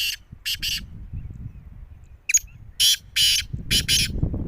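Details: A black francolin's jungle call: coarse, scratchy syllables in quick pairs and triplets, with noticeable low-pitched background noise rising toward the end.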